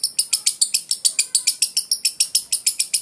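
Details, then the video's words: Lovebird ngekek in 'konslet' style: rapid, regular, shrill chattering pulses, roughly six each second, loud and continuous with no pauses. "burung lovebird ngekek konslet"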